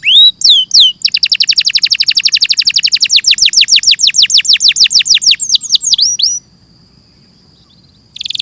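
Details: A canary sings a fast rattling trill of sharp downward-sweeping notes about six seconds long, opening and closing with brief slurred whistles and a short pause.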